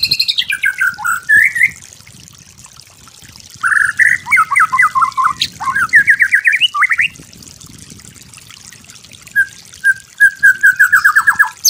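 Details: White-rumped shama master song for training: bursts of rapid chattering and slurred whistles separated by pauses, closing with a quick descending series.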